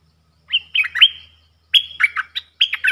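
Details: Bulbul kept in a cage, singing against wild birds on 3 October 2021. Two phrases of bright, slurred whistles with held tones, the second quicker and more chattering, over a faint low hum.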